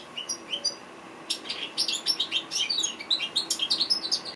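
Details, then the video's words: A few soft, high calls open, then a goldfinch launches into a dense, fast twittering song of sharp chirps, trills and squeaky whistles that runs to the end. "Amazing African goldfinch bird singing"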